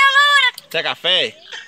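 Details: Talking pet parrot, said to want coffee all the time, produces a steady nasal tone followed by two short, harsh spoken syllables and a faint trailing sound.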